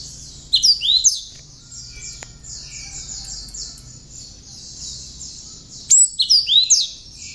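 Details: Tame cinereous tit, hand-raised, with prinia-imitation content in its song for training other birds; two bursts of loud, sharp whistled and swooping notes about five seconds apart, against an unbroken high buzzing chorus.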